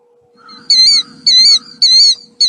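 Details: Killdeer giving four loud, high, piercing notes, each slightly rising then falling, about every half second, the call sounding like its name "kill-deer", over a faint steady electrical hum.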